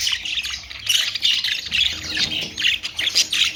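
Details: Budgerigars, called Australian parrot, squawking and chirping in quick bursts. Many birds call over one another without pause.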